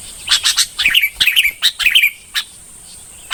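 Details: Red-whiskered bulbul singing: short bursts of bright, warbled, slightly slurred notes that rise and fall, given in quick clusters through the first two seconds, then one isolated note and a sharp tick near the end.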